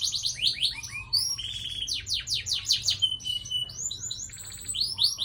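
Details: Canary delivering a long rolling song. Bright downward-slurred whistles come in quick series, interspersed with short buzzy rattles and a thin high note. The song flows without a break.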